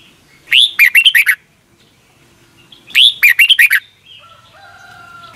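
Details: Red-whiskered bulbul song played every morning for young caged birds to learn; two matching phrases of an upswept whistle and five quick rolling notes, about two and a half seconds apart, followed by a faint steady tone.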